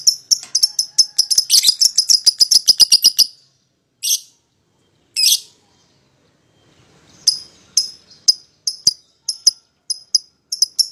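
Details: Paired lovebirds used as a lure to call a rival into singing: rapid bursts of sharp, high chattering chirps for about three seconds, then two isolated squawks after a pause, followed by spaced shrill chirps.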